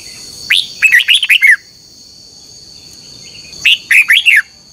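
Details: Morning singing of red-whiskered bulbul in a contest, played to spur birds to sing: two phrases of looping whistled notes, rising then falling, with a high constant hum.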